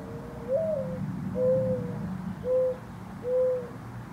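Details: Mourning dove (Zenaida macroura) calling in a backyard, neck bulging: soft, low, hollow coos, a rising first note then three steady, mournful hoots about a second apart, over a faint background hum.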